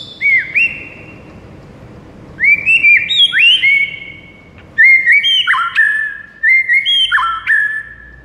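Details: Lively White-rumped shama song: bursts of short, bright whistled notes, rising and falling, delivered in quick clusters of four to six with brief pauses between them.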